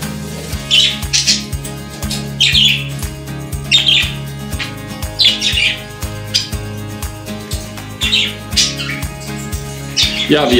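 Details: Pet budgerigars indoors in their bird room, let out of the cage in the morning: short scratchy chirping bursts roughly every one to two seconds over steady background music, with a woman greeting them.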